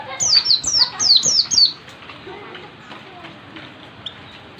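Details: Oriental white-eye practising ngalas song: a quick run of five or six high, bright down-slurred whistles in under two seconds, then near silence with one faint chip.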